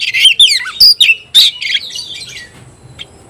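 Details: Kacer, an Oriental magpie-robin, in full competitive song against an opponent, 'konslet' style: dense rush of high chirps, rasping buzzes and clear whistled notes, fading to faint scattered notes after two seconds.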